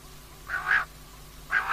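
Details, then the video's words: Female common quail calling, for use at night: two short buzzy, rasping notes about one second apart, each rising slightly, over quiet background hiss. "common Quail Calling, Female Batair Ki Awaz"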